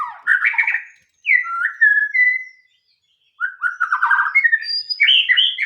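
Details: White-rumped shama song in three loud phrases separated by silences: a rich slurred burst, drawn-out clear whistles, then rapid varied warbling with high sweet notes.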